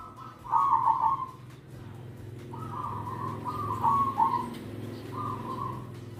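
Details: Zebra dove giving rolling, bubbly coos: a quick stuttered trill of notes, then several sustained purring coos about a second long in irregular phrases, over a low background hum.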